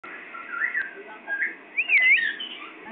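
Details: Parrot described as Pakistani, giving a few soft whistled notes that build to a loud arched whistle, rising then falling, about two seconds in, followed by quieter wavering tones over a steady background hiss.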